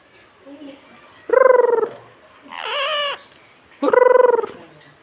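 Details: Pet green ring-necked parrot talking, repeating a word that sounds like "mummy" in two short buzzy, pulsed bursts, with a rougher rising squawk between them, indoors.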